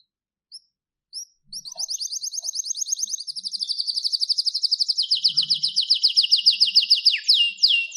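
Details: Canary song: two short high notes, then a long fast buzzy trill of rapid repeated syllables that drops slightly in pitch partway through and ends in a quick rising-falling flourish.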